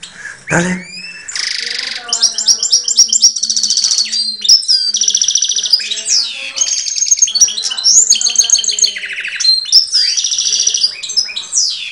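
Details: Hand-reared goldfinch hybrid, recorded in 2013, singing right up close to its keeper's face: a fast, unbroken stream of high twittering notes, buzzy rattling trills and sharp whistled slurs, with a short low thump at the start.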